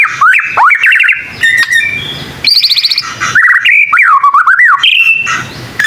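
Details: Young white-rumped shama learning to sing, a popular Indonesian songbird: loud, clear varied phrases of whistled slurs swooping up and down, interspersed with buzzy harsh notes and rapid trills.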